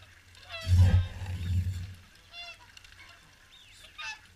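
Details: Swans at WWT Caerlaverock during the morning feed, giving a loud low honk around one second in, then fainter nasal calls and higher squeaky notes, with murmuring people in the background.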